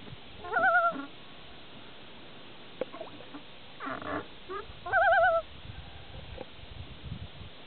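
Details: Common loon calling, two short wavering, quavering bursts around a second apart at the start and again near five seconds, with faint clicks and background noise between them.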